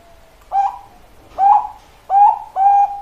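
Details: Zebra dove of the Bangkok perkutut type giving four separate short coos, the last two close together, each a brief level note with a soft start.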